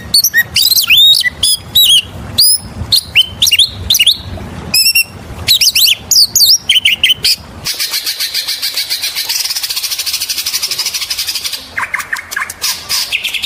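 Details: Oriental magpie-robin (kacer) lure song, rapid varied whistled and chirped phrases for the first half, then a long dry buzzy rattling section followed by a few more chirps.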